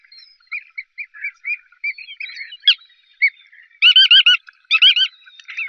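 Bar-tailed godwit giving scattered short, nasal chirping notes, then two loud bursts of quick, rasping, doubled kirrik-like calls near the end.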